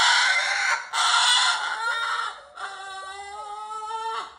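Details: Captive cockatoo "roaring" indoors: two loud, raspy screams run almost together, then a long nasal, bleating wail that holds steady and drops at the end.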